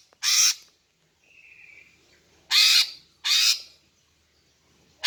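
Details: Female greater green leafbird call used to attract males: loud, harsh, broadband rasps, one near the start, then two close together, with a soft steady whistled tone in the gap.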